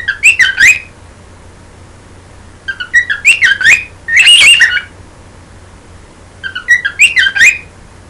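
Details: Pet bird singing to its owner's hand, in four short loud bursts of bright, chirpy, warbling whistled notes with squeaky edges, spaced a few seconds apart, over a faint steady low hum.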